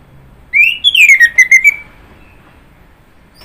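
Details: Orange-headed thrush singing one loud whistled phrase that rises, then slides down in a rapid series of slurred notes, ending in a trailing whistle, with a second phrase beginning at the very end against a quiet background.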